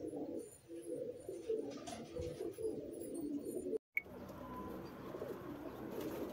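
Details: Soft, low cooing runs steadily from young home-kept racing pigeons of 2022, in a garden where they forage, bathe and bask before racing begins. A brief dropout breaks the sound midway, and faint higher noise sits above.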